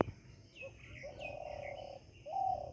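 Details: Wild pigeon (ban kabutar) nesting inside a village house in Bihar, India, calling in the morning: a low, steady hooting coo held about one second, then a shorter second coo, with faint higher chirps from other birds early on.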